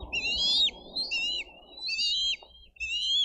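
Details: Bald eagle eaglets at a Dade County nest, 22 May 2023, screaming over food; four high, wavering whistled screams ending in falling slurs, with low rumbling background noise.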